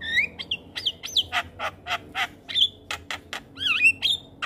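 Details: Javan myna in energetic song to train young mynas: rising and looping whistles mixed with a steady series of harsh, rasping bursts, then twisting, wavering whistles at the close.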